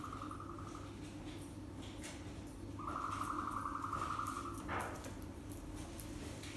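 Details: Farm-raised ostrich chicks, the year's first hatch, indoors in their room on 23 April 2020; a brief trilled buzz opens, then a longer steady trill lasts nearly two seconds, with low humming machinery and faint knocks.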